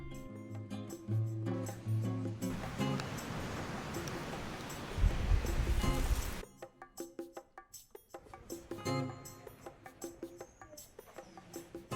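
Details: Music with percussive knocks and a burst of broadband rustling noise, with no animal voice heard.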